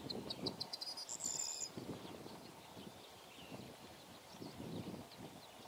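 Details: Corn bunting (Emberiza calandra), lower Tiligul estuary, Odesa region, Ukraine, 17 May 2015, gives one short song: quick ticking notes speeding into a high, jangling trill like shaken keys, over steady low wind rumble.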